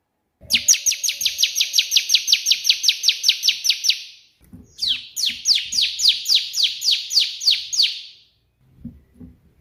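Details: Bar-winged prinia in full song, a burst-style song: a fast run of about twenty sharp chirps at an even pace, a brief pause, then a second burst of louder, downward-sweeping notes. A few soft low knocks follow.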